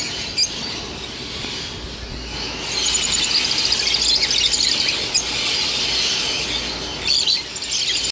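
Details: Many mixed peach-faced lovebirds chattering, starting fairly subdued with isolated sharp squeaks, then swelling into a louder, busy chorus of rapid shrill chirps, with more piercing squeals near the end.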